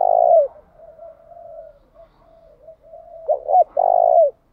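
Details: Spotted dove lure bird that varies its song patterns without pause: a loud opening coo, a stretch of quiet murmured cooing, then two rapid notes and a long, full, downward-ending coo.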